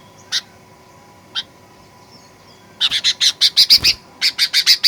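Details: Sooty-headed bulbul lure song in fighter style to provoke birds to sing aggressively: two lone chirps, then long rapid series of scratchy chattering notes, about seven per second, briefly interrupted.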